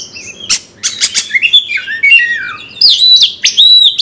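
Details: Oriental magpie-robin in full song, meant to provoke other males into fighting: loud varied whistles sliding between mid and high pitch, mixed with sharp chirps and harsh clicks.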